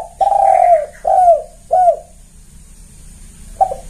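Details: Loud, clear spotted dove lure call from Indonesia: one long coo followed by two shorter falling coos, a quiet gap, then stuttered notes begin again.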